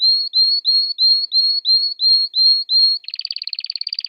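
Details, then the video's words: Canary singing: nine clear upswept whistled notes repeated about every third of a second, then a rapid buzzy trill of quick pulses. No other sounds. "If the canary does not tweet like this, then let it go"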